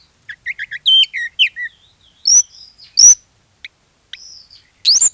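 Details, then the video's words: Oriental magpie-robin singing as a lure to prompt others of its kind: a quick run of short chirps and falling whistles, then sparse high thin whistled notes and a final sharp rising burst. "SUARA PANCINGAN KACER GACOR, BIKIN KACER YANG LAIN IKUT GACOR"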